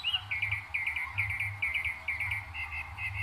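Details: Northern mockingbird in New Jersey, May 2021, part of a repertoire imitating other birds and other sounds; a bright phrase of quick chip-like notes repeated in short bursts about every half second, with low background rumble.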